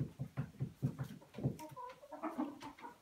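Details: Chickens inside a house, let back in after a few hours shut out for spring cleaning: a steady run of soft, low clucks, about five a second, then higher, drawn-out murmuring notes.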